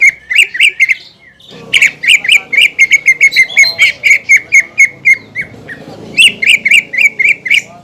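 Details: Greater green leafbird, a caged contest bird, pouring out fast strings of harsh, squawky repeated notes, roughly three to four per second, in bursts separated by short pauses.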